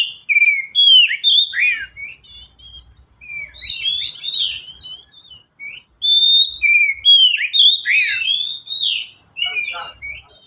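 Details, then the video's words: Oriental magpie-robin, a caged pet, giving lure song for birds that rarely sing: bursts of rich whistled phrases with downward swoops and sharp chirps, repeated in two loud bouts separated by softer twittering. "Pancingan kacer untuk kacer yang malas bunyi"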